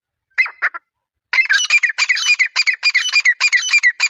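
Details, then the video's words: Grey francolin: two harsh opening notes, a short pause, then a fast, ringing run of loud, squawky notes, several per second, with no other sounds. "Gery francolin bird sound"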